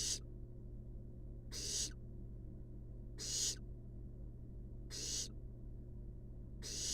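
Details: Barn owl fluffball babies in a wild nest box repeat a broad, airy hiss fairly regularly, five bursts in seven seconds, each short and harsh, with a low steady hum behind.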